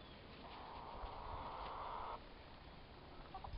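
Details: Two young turkey toms, both about four months old, fighting; a steady buzzy, purring call at mid pitch lasts about one and a half seconds, then fades to quiet background noise with a faint short note near the end.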